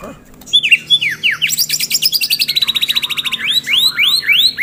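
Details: White-rumped shama, a fighter-type bird, delivering loud song: clear descending whistles, then a fast rattling trill of about eight notes a second, ending in rich sweeping slurred whistles.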